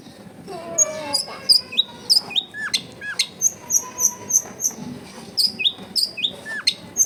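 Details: Long-tailed shrike song used as a lure for a bird that is reluctant to sing: a steady series of high, sharp, down-slurred chirps and whistles, with some lower notes, repeated rapidly.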